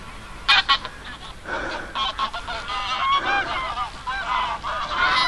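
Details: A flock of geese at Oby, Norfolk, UK, honking in a dense overlapping chorus, with a few loud sharp honks early on and a person panting nearby.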